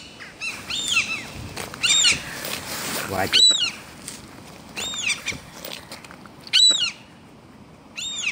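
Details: Gulls nesting on an apartment building's ventilation chimney while chicks roam the roof; repeated mewing, descending calls in pairs and short bursts, mixed with rustling and faint human voices.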